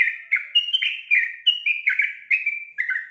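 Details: Female sooty-headed bulbul calling so that a male joins in singing. Continuous cascade of liquid, chirpy notes, alternately higher and lower, delivered briskly throughout three seconds with no other sounds.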